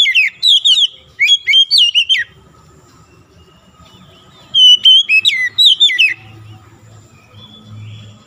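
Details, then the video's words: Oriental magpie-robin, a stressed bird that had stopped singing, in clear loud whistled phrases with sharp sweeping notes, two bursts separated by a quiet pause, faint low hum beneath. "PANCINGAN SANGAT CEPAT MEMULIHKAN KACER SETRES MACET BUNYI LANGSUNG GACOR"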